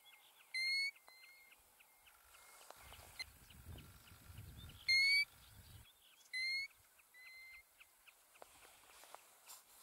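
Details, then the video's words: European golden plover (Pluvialis apricaria) in Iceland giving three clear, plaintive single whistles, spaced a few seconds apart, over fainter distant whistles and a low rumble of wind. "Golden Plover Calling"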